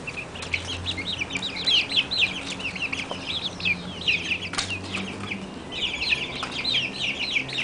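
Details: Month-old Barred Plymouth Rock chickens chirping together, busy overlapping shrill peeps in fast runs, briefly pausing midway, with a low steady hum underneath.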